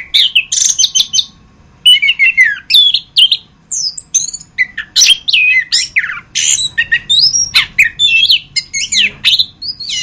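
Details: Continuous varied song of an orange-headed thrush (anis kembang) for masteran: ten seconds of quick, changeable phrases mixing sharp chirps, rising and falling slurs and squawky notes, with only brief breaks; low steady hum in the background.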